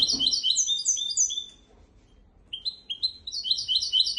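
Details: Memorised song of a goldfinch x canary hybrid used to train goldfinches and canaries: quick, high rolling twitters, a pause of about a second, then the rapid repeated slurred phrases resume.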